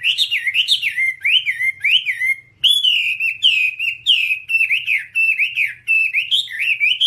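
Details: Whambie tutor song: rapid, twisting whistled notes in a quick run, a short break, then a steady series of repeated rising and falling whistles.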